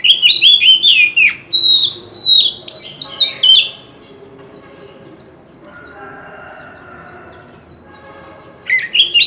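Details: Oriental magpie-robin singing a forest-style lure song for contests, loud sweet whistles and sliding notes in quick phrases, followed by quieter fragments and a brief pause before another loud burst.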